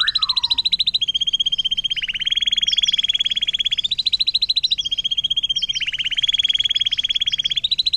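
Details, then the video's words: Canary delivering its long 'air mancuran' water-fountain song, used to tutor other songbirds: a continuous, very fast high trill that shifts up and down in pitch every second or two, opening with a brief falling whistle. "KENARI DENGAN LAGU AIR MANCURAN PANJANG"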